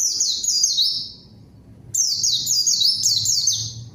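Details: White-eye in strong song used to draw a rival out so a novice answers and sings along: two dense runs of high, fast, downward-slurred chirps over a soft low hum, with a short gap between them.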